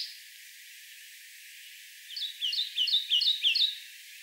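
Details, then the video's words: Kentucky warbler singing in May 2014 at Land Between the Lakes, Kentucky: a rich, rolling run of about six quick two-note churree phrases in under two seconds, over faint hiss, with a Northern Parula singing nearby. "Kentucky Warbler"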